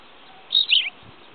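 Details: Tawny pipit (Anthus campestris) recorded 5 June 2010, giving a single high, two-part chirped phrase, a bright note sliding down into a second, over a quiet, faintly hissy background.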